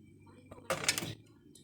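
A grey parrot gives one harsh, voice-like squawk lasting under half a second, with faint indoor room noise before and after.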